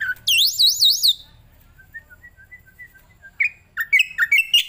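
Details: Starling or myna song used as master training audio for other birds: loud swooping, looping whistles, then a run of faint short notes, ending in loud, rising chattery phrases.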